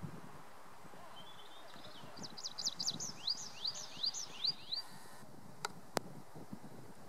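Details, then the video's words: Tree pipit singing on the Schomberg at the Wildewiese ski area, Lennegebirge, Sauerland, Germany, early June 2019: a soft buzzy trill, then a run of about eight loud, high rising slurred notes, followed by two sharp clicks. "Baumpieper (Anthus trivialis) singt"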